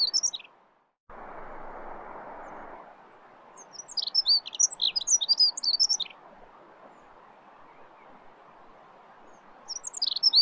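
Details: Dunnock, Prunella modularis, giving short bursts of fast high squeaky warbling, one phrase near the start, a longer two-second jumble in the middle and another at the end, separated by quiet stretches with a brief noise burst.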